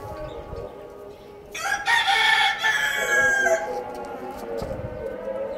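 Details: A rooster gives a full, strained crow lasting about two seconds, harsh and buzzy with a sustained middle section, followed by quieter clucking and low background sounds.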